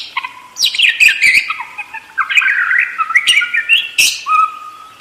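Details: Budgerigar warbling steadily, mixing gliding whistles, squeaky chatter and sharp clicks in a continuous, busy stream of high notes with short dips in loudness.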